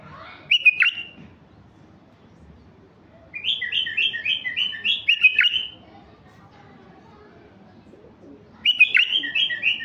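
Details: White-eared bulbul, a mutation stud male, delivers a short swooping whistle, then after a pause a long string of rapid repeated bubbly notes ending in a looped whistle, and a third burst at the end.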